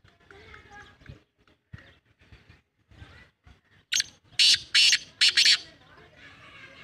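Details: Black francolin calling: after a few quieter, scattered sounds, a loud, harsh, grating phrase of about four rasping bursts comes in quick succession near the end.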